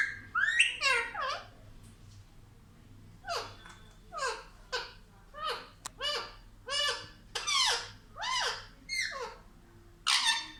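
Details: Pet parrot babbling in a child-like voice indoors: one squeaky swooping phrase, then a steady series of separate short, descending speech-like syllables roughly every second.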